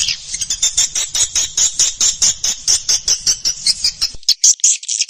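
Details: Lure recording of swiftlet calling and roosting sounds from Indonesian swiftlet farming: rapid, even series of high buzzy chirps, roughly four per second, over a faint low rumble.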